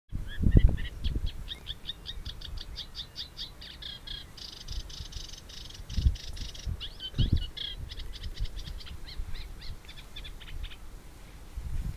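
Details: Fieldfare giving long runs of harsh, rapid chattering notes, the series thickening into a dense burst midway before thinning out, over heavy low rumbling wind noise with a few loud thumps.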